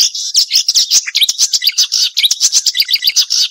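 Marsh warbler song: a fast, unbroken run of sharp, high chattering notes, trills and mimicked phrases, several notes a second, with nothing else heard.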